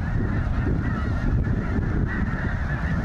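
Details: Massed snow geese at Goose Pond Fish & Wildlife Area in Linton, Indiana, thousands together, give a steady wall of overlapping honking with a strong low-pitched roar underneath.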